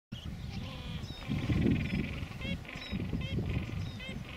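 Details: Gentoo penguins on Carcass Island, Falkland Islands, 21 January 2019: loud, harsh honking calls with stacked harmonics rise and fall over a deep rumbling background, and thin high chirps from other callers are scattered through.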